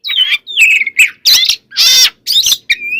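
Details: White-rumped shama singing, a recording meant to provoke other shamas: sliding whistles alternating with harsh, broadband rasping bursts in quick succession, bright and loud throughout.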